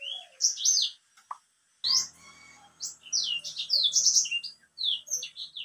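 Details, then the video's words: Caged white-rumped seedeater singing: high downslurred whistles and twittery phrases, a short break, then a fast string of bright chirps and slurs. "BURUNG BLACKSTROAT GACOR"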